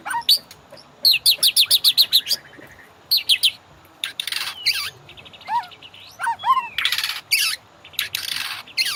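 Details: Training master of a white-rumped shama: fast series of high clipped notes in groups, then lower curving whistles and broad raspy bursts, with short gaps between phrases.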